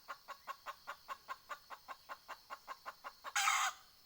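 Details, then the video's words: Cackling red junglefowl hen kept as a decoy to draw in wild fowl: about sixteen quick, even clucks, then a loud, harsh, drawn-out squawk closing the series. "ไก่ต่อแม่กะตาก poj qaib dib tsauj zoo cuab heev"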